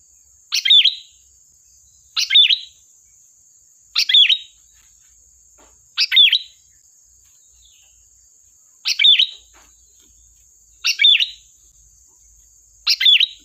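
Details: A sooty-headed bulbul gives sharp gacor song bursts for luring birds. Seven brief, bright, warbled phrases with a quick falling-rising whistle come roughly every two seconds against a thin constant high-pitched hum.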